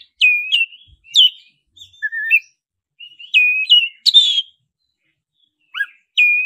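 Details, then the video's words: Black-breasted oriental magpie-robin singing in the roll nembak style, used as a lure to prompt another magpie-robin to sing. Clear whistled phrases with sharp upward-hooked notes and short trills, spaced by brief silences, with no other sounds. "Pancingan suara kacer dada hitam roll nembak pancing kacer cepat bunyi"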